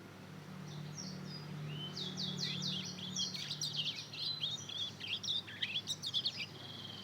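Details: Hybrid fledgling of Mozambique canary and canary, aged two months and learning its song, starts quietly over a low hum, then breaks into a rising flurry of fast high chirps and trills.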